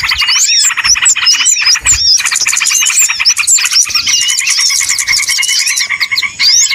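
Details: Lure recording used for trapping small birds: a dense, noisy chorus of many small birds chirping and twittering at once, with rapid high sweeping notes and squawks overlapping continuously.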